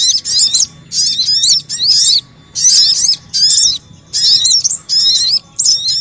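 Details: Sogon lure call for attracting wild birds, heard as repeated bursts of harsh, high, twittering chatter, roughly forty per minute at uneven spacing, with quiet gaps between bursts.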